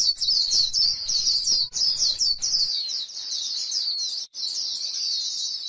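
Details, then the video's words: Continuous thin, rapid twittering from a white-eye on grassland, its 'líu' style song flowing almost without a break, with notes slurring quickly up and down. "KÍCH KHUYÊN LÍU CHUẨN chim khuyên trên đồng cỏ white eye bird"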